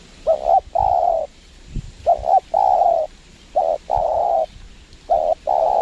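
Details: Spotted dove cooing during a bird-trapping session with a lure bird at a windy site in Lombok, Indonesia; a short doubled coo is followed by a long steady crooning note, the phrase repeated three times, with faint low rumbles between phrases.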